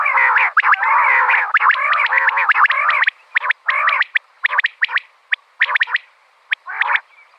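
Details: Female common quail, recorded for quail hunting. Dense bursts of nasal, buzzy, harmonic notes run together for three seconds, then break into short sharp chirps and brief harsh phrases, with quiet gaps between them.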